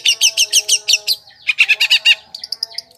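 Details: Long-tailed shrike song used as a lure to attract wild birds: rapid series of bright buzzy doubled notes, a brief pause, then another fast burst and scattered high chips.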